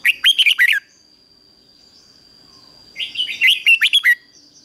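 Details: Decoy red-whiskered bulbul belting out 'ché' calls to summon wild bulbuls to fight: two dense phrases of fast, jumbled, warbling whistles separated by about two seconds of quiet.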